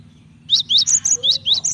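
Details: Female cinereous tit calling the male, a call used to make males sing: about seven rapid, high, ringing chirps with upward-sweeping pitch, evenly spaced in one short burst.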